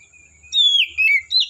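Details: Oriental magpie-robin from the forest giving a short, loud whistled phrase: a long clear note sliding downward, followed by two brief rich warbled notes, over a steady faint high tone.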